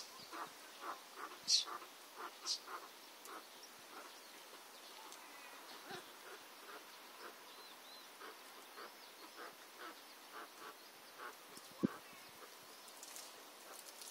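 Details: A cheer pheasant pair with newly hatched chicks give short, high chips and peeps at an irregular pace, with a few louder notes early on, over a soft steady hiss.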